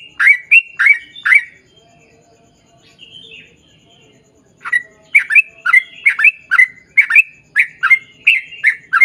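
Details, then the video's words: Sooty-headed bulbul song intended to prompt other bulbuls to sing back: a few rich bubbly notes, a quiet gap, then a long rapid string of short gurgling chirps. "KICAU SUARA trucukan gacor ROPEL PANJANG pancingan trucukan agar bunyi MENJADIKAN trucuk gacor NYAUT"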